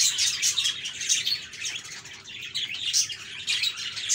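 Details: Budgies chirping and warbling, played to help lonely pet parakeets sing; bursts of high squeaky chatter and chirps, louder around the first and last seconds, with a short quieter dip between.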